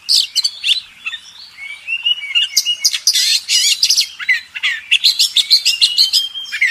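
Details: Oriental magpie-robin master song for contest birds: fast, dense run of high chirps, trills and buzzy notes mixed with sweet whistled slides, delivered almost without pause.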